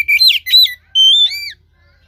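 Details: Oriental magpie-robin song for stimulating a caged bird that is reluctant to sing: two quick rough whistled bursts followed by a longer clear rising whistle that bends downward, all in under two seconds.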